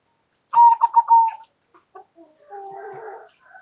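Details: Local zebra dove calling loudly, one stuttering coo phrase ending in a long falling note, then faint clicks and a soft, murmuring background sound continuing after the call.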